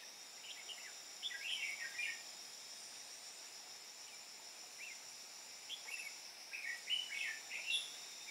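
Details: Decoy red-whiskered bulbul from Hòa Bình calling wild birds to a trap, 13 May 2017: scattered brief chirps and warbled phrases come in short clusters with pauses, against constant high-pitched insect buzzing.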